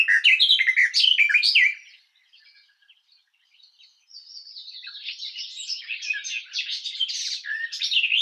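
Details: A loud burst of rich warbling from a garden warbler, then a near-silent pause of about two seconds before the fast, even, chattering warble resumes and builds again.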